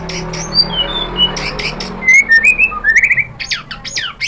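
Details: White-rumped shama song played to draw other shamas into singing: varied short whistles and slurred notes rising in loudness, ending in a fast bubbling trill and sharp clicks.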